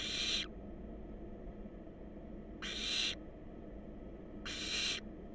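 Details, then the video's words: Wild barn owl chicks in a monitored nest box, heard through a live nest cam: harsh, broadband hissing screeches about half a second long, three in the clip, spaced roughly two seconds apart over low steady background hum. "Adorable Barn Owl Babies On Live Cam"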